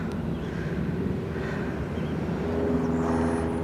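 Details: Outdoor urban rumble of passing vehicles and a low engine drone that grows slightly louder, with no animal calls.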